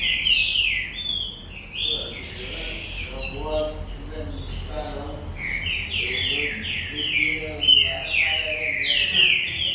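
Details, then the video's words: Green-winged saltators at a breeding farm, galador singers, give loud downslurred whistled phrases at the start and end, while a man talks in the middle over quieter bird notes. "TRINCA FERRO DE FIBRA -GALADORES-"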